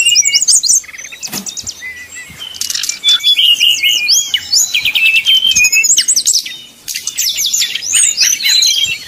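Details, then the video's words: Fluting 'nyuling' song of a brown-chested jungle flycatcher, played to stir rival birds into singing: dense runs of high whistled notes, zigzagging trills and sweeping slurs, with brief pauses and a low background hum. "srdc nyuling bikin lawan jadi panas penuh emosi pancingan srdc tercepat bikin srdc cepat ngeplong"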